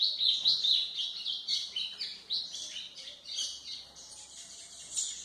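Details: White-throated seedeater song, played for training young birds: a fast, continuous high chatter of buzzy, twittering phrases with trills and sharp chirps, running without pause for the whole stretch.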